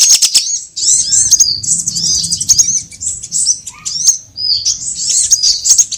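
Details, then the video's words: Several sunbird kinds in a lure recording for trapping. Piercing high chirps and short downslurred whistles repeat irregularly, with brief twittering phrases and a faint low background rumble. "Suara pikat semua jenis burung kolibri"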